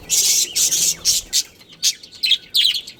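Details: Breeding pair of budgerigars kept in a colony, chirping in loud, harsh, high buzzy bursts that start dense and break into separate scratchy notes with short gaps.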